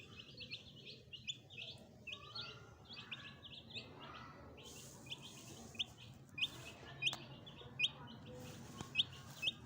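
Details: A brood of fresh pet chicks with a hen: a busy stream of high peeps, later turning into sharper, evenly spaced single cheeps roughly every half second, over a soft low rumble.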